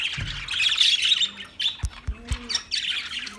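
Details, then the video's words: Budgerigar chirping: a dense warbling chatter of buzzy high chirps and squawks, with a few sharp clicks and taps partway through, and a short pause before the chatter resumes. "Beautiful Budgie Sounds"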